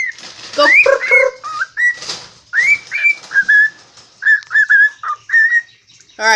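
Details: Pet cockatiel, presumed male because it talks, singing in a kitchen: quick chatter giving way to clear rising whistles and short repeated notes, ending with a harsh burst.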